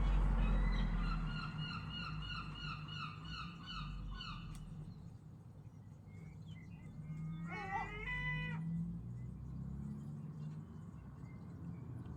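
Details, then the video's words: Loud gulls making strange sounds: a series of repeated, wailing, harmonic calls in quick rhythm for several seconds, then a brief rising cry, all over heavy low-pitched rumble. "Seagulls are very loud and make strange sounds"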